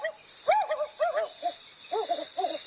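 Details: African wood owl giving a rhythmic run of soft, mellow hoots in short quick bursts over a faint steady hiss, played as a clip during a sunrise safari drive at Djuma Game Reserve, Sabi Sand, South Africa, 30 July 2017.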